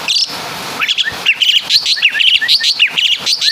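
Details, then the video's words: Asian pied starling from Java mimicking other birds, a quick series of high, sharp chirps and short slurred whistled notes following a brief opening note. "Burung Jalak Suren Full Suara Kapas TembaK"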